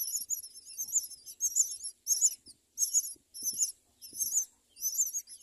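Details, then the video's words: At a myna nest with four young being raised, high wavering squeaks come in short bursts about every half second, separated by brief silences, with faint clicks below. "Myna birds, raises four children"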